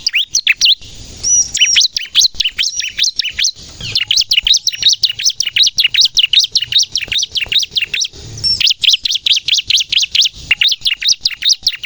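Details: Energetic bar-winged prinia song played to attract wild prinias and coax untrained captive ones into singing: dense, high, piercing chirps repeated quickly and almost without pause for about twelve seconds, with a faint low rumble behind.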